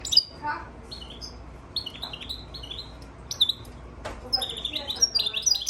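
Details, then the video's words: European goldfinch crossed with Timbrado canary, recorded March 3, 2024: scattered short high chirps and brief twittering phrases separated by gaps, with a sharp click near the middle and a livelier burst of notes toward the end. "European Goldfinch crossed with Timbrado canary"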